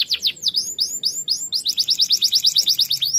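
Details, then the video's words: Lively canary song used to train other birds: a few quick slurred notes and rising whistles, then a fast run of bright upslurred chirps, about five a second, to a sudden end. "KENARI GACOR"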